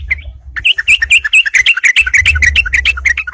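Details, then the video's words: Yellow-vented bulbul song used to challenge rivals and lure birds: a fast, bubbling string of short liquid rising and falling notes, many per second, with faint low rumble. "suara crucukan gacor nantang tarung"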